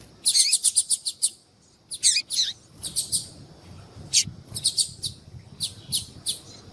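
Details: Calling female yellow-bellied seedeater, a call prized in female-call tournaments and used to spur a quiet male into song. Rapid bursts of shrill, short chips, about six in a second, alternate with single notes and brief silences.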